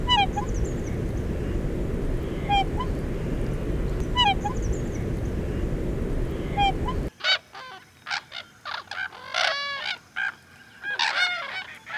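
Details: Black swans at the Western Treatment Plant, Victoria, Australia, give soft, rising bugled notes faint under steady rumbling wind, then louder, clearer honking trumpets in quick overlapping bursts.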